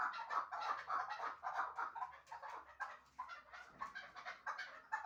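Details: A pair of Shahritus chukar partridges kept for hunting, praised as the best 'mastak', give fast overlapping clucks that slow slightly midway before picking up again.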